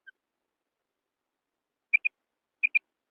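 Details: Female quail call used to lure quail in wheat fields: two quick double notes, sharp and clipped, after a faint opening note, with silence otherwise.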